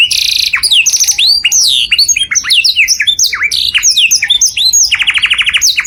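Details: Loud training song from a canary for other birds to imitate. A busy stream of sliding, looping whistles runs between short buzzy trills, and the phrase ends in a rapid rolling trill.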